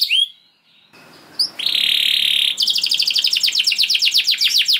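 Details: Canary singing a 'gacor' lure song meant to trigger other canaries: a few sharp chirps, then a steady buzzy drawn-out note, followed by a quick series of descending swept notes over faint background hiss.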